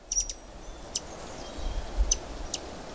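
White-eared Hummingbird giving high, thin metallic ticks, a quick triple burst then single notes a second or so apart, over a low background rumble.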